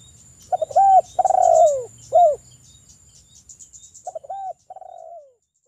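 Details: Wild spotted dove singing, used as a lure so other doves call back: a varied run of short mellow coos and longer notes sliding downward, a pause, then softer quick coos ending in a falling note.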